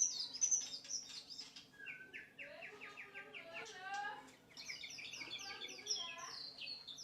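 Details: Training recording of white-rumped shama song for other birds, with varied whistled phrases, a run of repeated stepped notes, fast rattling trills and high sweeping whistles, the singing nearly continuous throughout.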